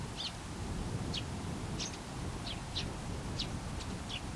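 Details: A single Eurasian tree sparrow chattering to itself at close range, giving bright, short chirps roughly every half second, each quick and slightly downslurred, with a dull low rumble underneath.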